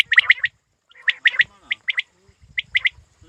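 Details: Quail, described as a hunting quail, producing short bursts of three to four rapid chirps separated by brief silences.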